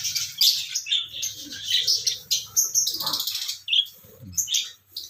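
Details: Raw calling of a pet parrot: sharp, high-pitched chirps and squawks in uneven bursts, some bright whistled notes standing out, short quieter gaps between bursts, faint low background hum.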